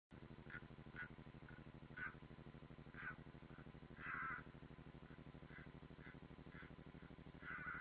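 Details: European roller, possibly unringed, at Ādaži training ground on 30 June 2016, from a live stream: short, harsh, rasping calls about once a second, some louder and longer, over a steady low mechanical hum.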